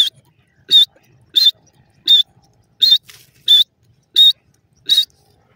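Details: Baby francolin calls: clear, high, thin peeps, one every 0.7 seconds, each short and even in pitch, over an otherwise quiet background.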